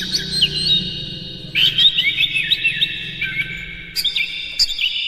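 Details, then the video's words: Oriental magpie-robin song used as a lure to provoke other magpie-robins into singing and fanning their tails: dense, high whistled phrases with quick slurred notes, overlapping strands and a steady low hum underneath. "Suara PANCINGAN KACER paling gacor"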